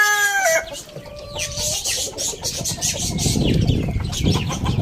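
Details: Morning crow of a rooster in a farm village, heard as the drawn-out tail of a crow, a steady tone sliding lower and held for about a second, followed by rustling, clucks and high bird chirps.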